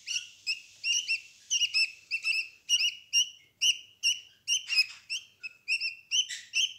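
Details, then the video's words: Rapid rasping chirps from budgerigar nestlings in a nest box, day 11 after hatching, with their mother close by; calls tumble out over two per second, overlapping, with a brief hiss of rustling midway. "Fortschritte bei den Wellensittichen, Küken, kuscheln mit den Geschwisterchen und Mama!"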